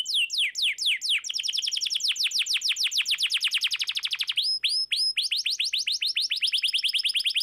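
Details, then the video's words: American Singer canary song played to get a quiet canary singing: long fast rolls of downward-sweeping whistled notes, briefly pausing for two short high rising tones before the rapid trilling resumes. "Suara burung kenari gacor cocok buat pancingan kenari macet langsung gacor"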